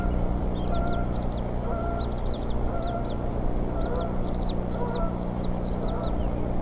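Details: Bald eagles at the Decorah nest on the evening of 8 April 2014, with the mother feeding eaglets while the father makes prey deliveries: high, thin piping chirps in quick clusters of three to five, repeating about every second over a steady low hum.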